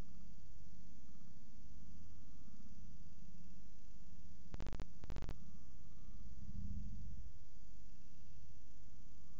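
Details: Constant low hiss and hum, broken by two brief sharp clicks midway, with no animal sound.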